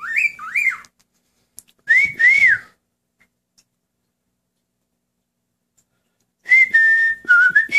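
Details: Male cockatiel kept as a pet, singing in a small room as its owner joins in: three bursts of bright whistled notes that rise, dip and level off, separated by silent gaps of several seconds.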